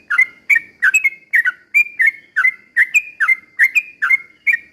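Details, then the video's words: Steady Sooty-headed bulbul song, used as a lure for other bulbuls; evenly spaced short whistled phrases, each a quick dip then a level note, about two every second over a faint low hum. "trucukan gacor ROPEL PELAN BUAT pancingan trucukan agar bunyi"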